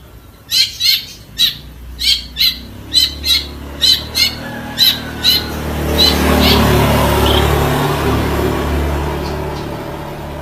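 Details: Long-tailed shrike singing a run of sharp, chirping notes, about a dozen repeated roughly every half second over six seconds. The bird then falls silent under a loud, low, rumbling background noise.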